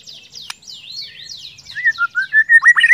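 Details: White-rumped shama, used to coax other shamas into song: high, thin, sweeping twitters and one sharp click, building into a fast series of loud, clear whistled notes.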